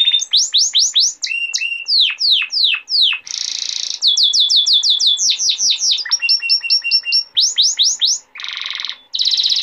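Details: Domestic male canary song used for training juvenile canaries and for breeding: rapid sweeping whistled phrases in quick series, a dense buzzy rattle mid-song, level repeated pips, then a low harsh burst and a closing trill.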